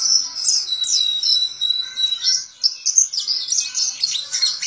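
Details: Caged white-eye (Zosterops), a pleci kept and contested as a songbird in Indonesia, singing in ngalas ngeroll style with open beak: high, continuous twittering warble of rapid chirps and trills with brief whistled notes.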